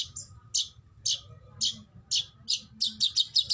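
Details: White-rumped shama song meant for training songbirds: sharp high chirps spaced about half a second apart, quickening into a rapid stutter at the close, over a faint low hum.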